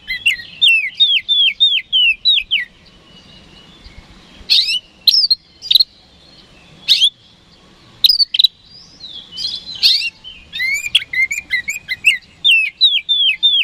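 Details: Oriental magpie-robin, called kacer, lure song for provoking rival birds: opens with a rapid series of about eight descending whistled notes, then scattered sharp calls, and ends with another fast run of falling whistles.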